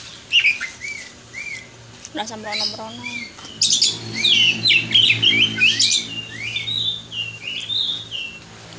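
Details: White-rumped shama, a champion bird let out to sing, gives loud mixed whistles and harsh chattering phrases; a low buzzy rattle sounds early on, then dense overlapping high notes follow.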